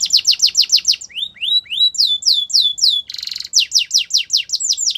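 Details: Singing canary used for training other canaries: quick descending chips, a few rising slurred whistles, more falling sweeps, a short dense buzzy burst, then renewed fast downward notes.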